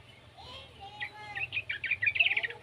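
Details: Yellow-vented bulbul juvenile, played to coax other bulbuls into song; soft low whistles open, then a run of bright, rapid chirps builds in loudness over the last second and a half.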